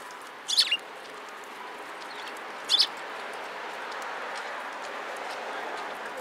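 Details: Sparrows gathering at food at a Tenmangu shrine on 26 March 2017; two sharp, high chirps about two seconds apart stand out over a steady, hissing background murmur.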